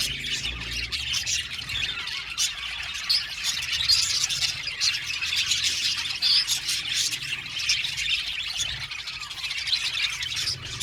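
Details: An aviary colony of budgies keeps up an unbroken stream of thin, high chirps and scratchy squawks from many birds, evenly loud throughout, with a low rumble in the background.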